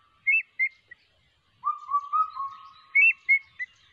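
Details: Changeable hawk-eagle chick calling: short high whistled notes in pairs, then a longer wavering whistled series lower in pitch, then more high paired notes, in a quiet setting.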